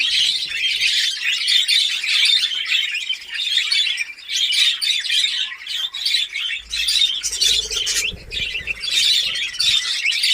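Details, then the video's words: Budgerigars of a new breeding colony kept in cages in Darbhanga, Bihar: long stretch of continuous, dense warbling and squawking from many birds, pulsing in loudness, with a low rumble in the second half. "Badguies Parrot New Colony Ready // Badguies Parrot Breeding Start //"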